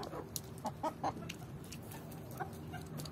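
A Swedish Flower chicken gives short, low clucks, three in quick succession and then one more about a second later, over a steady rustling background.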